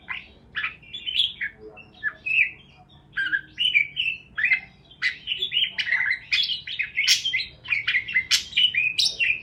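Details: Parakeets chirp and chatter: scattered high notes at first, then a dense, fast run of sharp chirps and warbled whistles toward the end.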